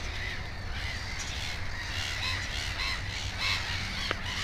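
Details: Black-headed gull at the nest with two chicks, uttering short grating cries about every second amid other gulls, a brief click near the end and low rumble throughout.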